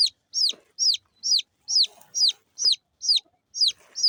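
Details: Small local chicken chicks peep in high, thin, downward-sliding notes, about two or three each second, steady and insistent, with faint soft rustling underneath.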